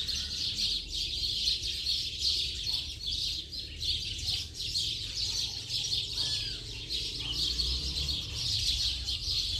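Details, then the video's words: House sparrows massed together at the end of the afternoon, an unbroken noisy twittering chorus that swells and dips slightly, plus low background rumble. "Bando de Pardais Cantando Baderna de Final de Tarde!!!"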